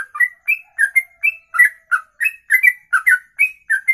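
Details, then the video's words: Songbird performing ropelan style, one long unbroken breath said to run past two minutes; clear whistled chips repeated roughly three per second, pitch jumping between lower and higher notes, each note topped by a crisp tick, quiet background. "Inilah Ropelan Sekali Nafas 2 menit lebih"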